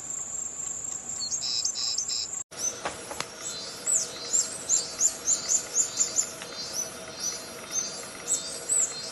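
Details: Melodious birdsong recorded on 24 May 2020: a long series of very high, sweet upslurred whistles repeated about twice a second over a steady high insect-like hiss.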